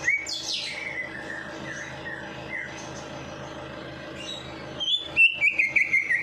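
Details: Bird singing after a night bath, used to stimulate lazy birds: a high falling whistle leads into level whistled notes, then a loud run of quick, bright trilled notes at the end.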